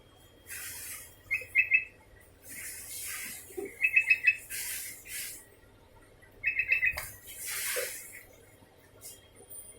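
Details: Sooty-headed bulbul calling continuously: short, bright, bubbly phrases of about four quick notes, repeated every two to three seconds, with broad rustling, hissing noise filling the gaps between phrases.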